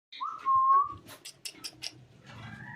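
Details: Pet macaw whistling: a clear sustained whistled tone with a slight rise and fall, followed by a few short buzzy squeaks and faint background noise.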